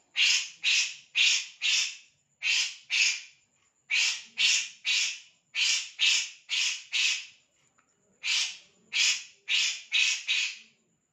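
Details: Bird known locally as kores giving harsh, buzzy, broadband notes, each about a third of a second, in runs of three to five at roughly two per second, with brief pauses between runs and a quiet background.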